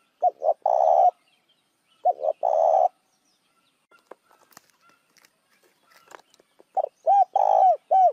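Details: Spotted dove lure call for attracting other doves. Low coo phrases with short lead-in notes and a longer held note, then a pause with faint clicks, and a final burst of several quick curved coos.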